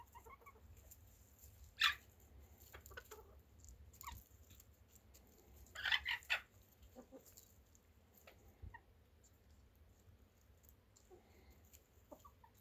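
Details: Chickens being watched give short, sharp clucking calls, one near two seconds and a quick cluster of three around six seconds, over a steady low background hum with faint scattered clicks.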